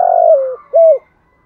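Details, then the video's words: Decoy spotted dove cooing in the morning to call in a flock: a long, purring, slightly falling low coo followed by one short, clear arched note, then silence. "chim cu mồi gáy gọi buổi sáng, tiếng chim cu gáy kích bổi, chim cu mồi gáy gọi bầy"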